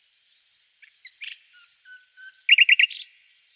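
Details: Short nightingale phrase against a constant thin high tone: soft notes, a low fluting whistle, then four loud, quick repeated notes and a brief buzzy flourish.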